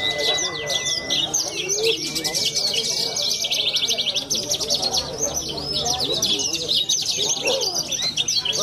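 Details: Young Horsfield's bush lark competing at a songbird contest in Cilacap, with a long unbroken stream of rapid high trills, chattering notes and brief slurred whistles. A flat tone plays early on, and voices talk in the background.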